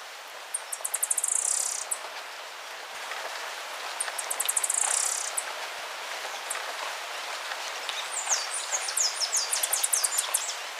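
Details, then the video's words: Spotted tanager (Ixothraupis guttata) giving very high, thin, rapid ticking notes in short bursts, with a faint hiss of background noise. "O canto da Saíra pintada"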